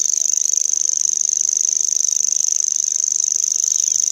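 Common grasshopper warbler reeling: a very high, dry, insect-like trill of rapid ticking pulses running on without a break, with faint background hiss.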